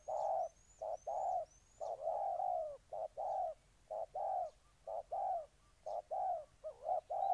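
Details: Spotted dove recorded in Ninh Thuận, Vietnam, delivering repeated husky coos about once a second, mixing clipped and longer notes. Thin rising whistles from another bird are heard early on.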